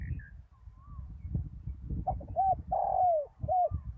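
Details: After a storm, a spotted dove decoy set on bare ground calls loudly: three resonant coos, short, long and descending, then short, with soft distant bird notes and low background rumble.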